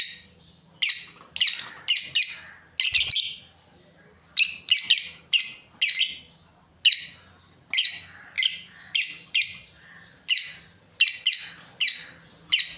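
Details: Breeding pair of lovebirds chirping: rapid series of shrill, high-pitched squeaky chirps in uneven bursts of two to four notes, with brief silent gaps, steady low hum underneath indoors.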